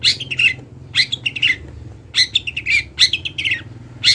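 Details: Local Kendal long-tailed shrike, used as a master recording for training, repeats paired scratchy phrases with slurred whistled middles, about one phrase each second, loud and close.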